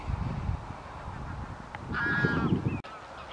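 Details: White-fronted geese (Anser albifrons) at Wimpole Hall, Cambridgeshire, on 17 December 2020: one brief, harmonic, slightly wavering yelp rises out of a low, rumbling background, with a sharp click near the end.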